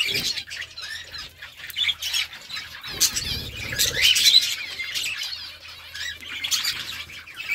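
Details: Budgerigars chirping to one another: dense, scratchy warbling chatter with quick high notes, overlapping voices and brief bursts of wing flapping.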